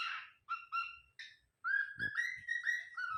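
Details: Cockatiel kept as a pet, possessive with wild birds, gives harsh then clear whistled calls: short bursts followed by a sustained, slightly wavering whistle broken into linked notes, with faint knocks in the background.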